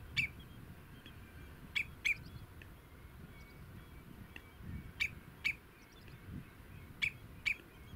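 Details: Common redshank, adults and young in meadowland, filmed at a distance: short shrill piping calls, often in pairs spaced a few seconds apart, against a low steady background rumble.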